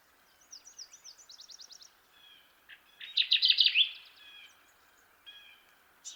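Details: Kirtland's warbler singing: thin high trills and buzzy phrases lead into a loud, bright burst of rapid repeated notes, followed by short level whistled notes, in a quiet setting.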